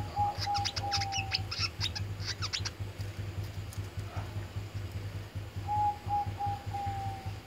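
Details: Oriental white-eye (wiceh) in tarung fighting-style song: a quick run of high, sharp chirps in the first seconds, mixed with steady mid-pitched whistled tones that return near the end, over a low hum.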